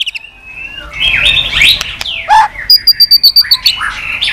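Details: White-rumped shama with 'tạch' fighting song for rousing a low-spirited bird: soft overlapping sliding whistles, then a quick even string of about eight short high notes.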